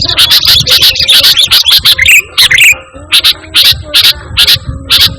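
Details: Sooty-headed bulbul in steady song with no learned phrases, for calling and tutoring birds. A rapid run of chattering notes turns into evenly spaced, loud chip-like bursts.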